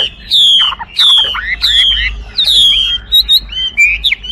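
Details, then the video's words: Chinese hwamei singing loud, clear whistled phrases, each note sliding down from high to mid pitch, strung together in a varied series with brief gaps between them. "画眉鸟的声音 The Voice of a Thrush"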